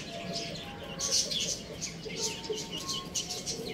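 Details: Young chickens peeping in a busy chorus of short, high chirps that overlap and repeat rapidly, with faint tonal music in the background.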